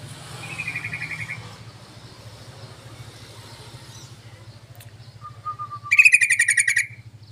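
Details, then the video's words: Lure recording of a yellow-vented bulbul meant to attract others of its kind. A soft chattering rattle comes first, then a brief thin whistle, then a loud, fast pulsed rattle of harsh notes about one second long, with low mechanical hum throughout. "SUARA PANCINGAN BURUNG TRUCUKAN"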